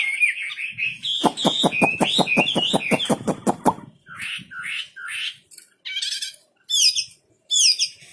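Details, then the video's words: Wambi bird song: sliding whistles run over a rapid series of sharp clicking pulses for about two seconds. Short, separate chirpy phrases with pauses between them follow. "Burung wambi istimewa gacor full"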